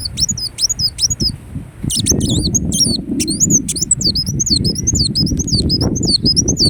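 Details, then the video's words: Ruby-cheeked sunbird in Indonesia pouring out a nearly continuous string of high, twisting, squeaky whistles and clicks, with a strong low rumbling noise throughout the second half. "Kolibri Wulung Gacor Dorr Bocor Corr || Pancingan dan Terapi Bunyi Andalan"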